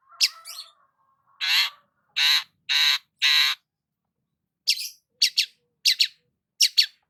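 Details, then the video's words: Morning song of a sunbathing long-tailed shrike: a scratchy opening note, then four drawn-out nasal, rasping calls about half a second apart, followed after a pause by sharp, paired clicking chips. "KICAUAN BURUNG CENDET SAAT BERJEMUR DI PAGI HARI"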